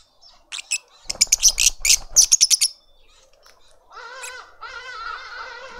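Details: Lovebird family in a suburban garden in Pretoria, South Africa, feeding a juvenile: a burst of rapid high shrill chattering notes, then harsher rasping repeated calls.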